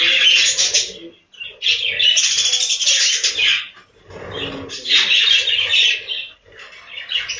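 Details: Budgerigars on a breeding farm chatter in rapid, overlapping chirps and grating warbles, loud stretches broken by several short pauses, with faint fluttering underneath.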